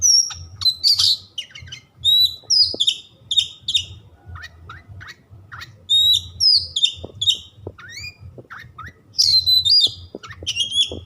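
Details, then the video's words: Oriental magpie-robin delivering a busy, varied song to excite rival birds: rapid sequences of clear descending whistles, twangy slurs and harsh chattering notes, almost continuous, with a low hum underneath. "100% Nyambar Kacer anda setelah mendengar suara kacer yang satu ini."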